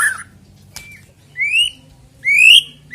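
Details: White-rumped shama, played to prompt singing ahead of a singing contest: a few separate clear whistles, each rising then levelling, with long quiet gaps and a faint low hum beneath.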